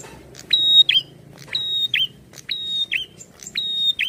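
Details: Prinia singing frequently while in an aggressive, challenging posture: three quick phrases about a second apart, each a sharp rising note into a bright, sustained high whistle finishing with a downward slur, over faint low hum.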